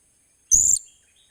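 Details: Blue-crowned hanging parrot in training as a decoy lure bird, recorded 28 July 2021, gives one piercing high-pitched note lasting about a quarter second, slightly wavering, with a soft low knock underneath and a faint trailing echo.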